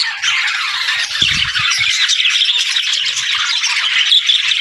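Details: Parakeets singing in an unbroken stream of busy, rasping twitters and squeaky notes, with a brief cluster of soft low thuds just after one second.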